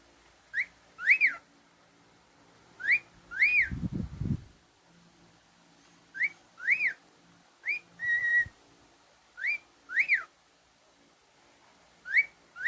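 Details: Pet male cockatiel repeating a sharp up-and-down whistled phrase, each note rising then dropping, at intervals of one to two seconds; a short burst of lower noise interrupts partway, and one flat held whistle follows.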